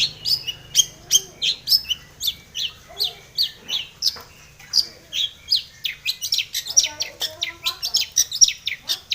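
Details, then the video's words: Long-tailed shrike singing a full, varied song used as a lure to make other shrikes sing: rapid high chirps and sweeping notes repeated about twice a second. "cendet gacor BIRAHI full isian ini MANJUR pancingan cendet agar bunyi"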